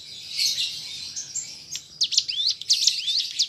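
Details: Hissy high rustling for two seconds, then a mountain prinia (cigun) breaks into quick rising whistled sweeps in a chattering run; the recording is used to prompt pet prinias to sing.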